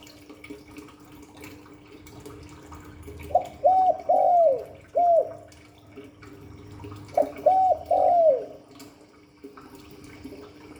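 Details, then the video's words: Spotted dove giving two spaced cooing phrases in the 'Hạp Bổi' voice, about four seconds apart: short arched hoots building to a longer falling note, the first phrase ending with an extra separate coo; quiet hum and hiss between. "Tiếng chim cu gáy Giọng Hạp Bổi 38. Đủ bài THúc GÁY GỌI - GÙ HAY Kích Bổi Nhanh Nổi, Cu đất gáy"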